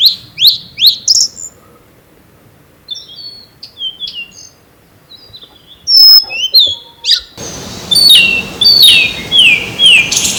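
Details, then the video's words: Blue-and-white flycatcher singing at very close range at a field it visits every year, one of two birds disputing territory, recorded with an ECM-M1 microphone: sweet high whistled notes and slurred phrases, then an abrupt cut into a noisier passage of clear descending whistles. "オオルリ 鳴き声"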